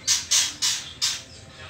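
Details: White-rumped shama juvenile, trotol stage, before the pastol moult: four short, breathy, hissing rasps in quick succession, each fading away, against a quiet background.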